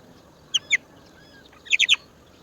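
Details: Indian roller chick at a nest in the woods giving begging calls: short, harsh, high rasping notes, two spaced calls then a quick burst of three, over a faint steady background hiss.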